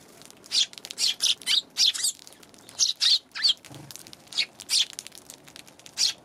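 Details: Eurasian tree sparrows on January 11 give short, high, bright chirps in irregular bursts, sometimes paired or in quick threes, with short pauses between them against a quiet background.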